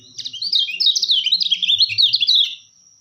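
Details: High, hurried warbling from a kecial kuning white-eye used for bird trapping, loud twisting chirps tumbling continuously for about two and a half seconds before stopping, with a faint steady tone behind.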